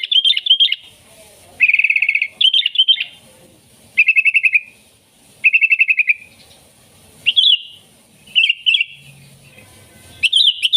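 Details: Sooty-headed bulbul lure song for wild bulbuls: fast rattling trills alternate with bright chirped phrases, repeated every second or two with short quiet gaps.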